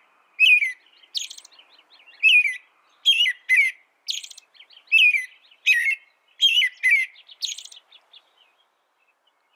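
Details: An American robin carols in short slurred whistled phrases, roughly one every second. Thin hissing high notes are mixed among the richer, lower whistles, and the background is quiet.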